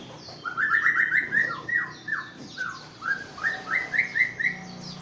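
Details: Aceh white-rumped shama, a prize-winning songbird, delivers a lively stream of slurred whistled notes rising and falling, repeated in quick succession with a few high thin accents on top; faint low background rumble.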